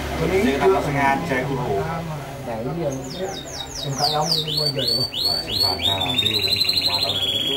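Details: Canary singing: after a few seconds of low, voice-like background sound, a run of quick, bright, downward-sweeping notes repeats rapidly, then settles into a steady high, buzzy trill.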